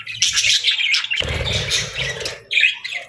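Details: Feeding-time budgerigars twitter and warble in a rapid jumble, then a soft low rustling joins the chatter before a few clearer chirps.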